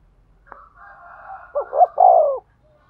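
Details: Spotted dove coo used to stimulate a male: a faint, thin, higher drawn tone precedes one loud low phrase of two short notes and a long falling coo.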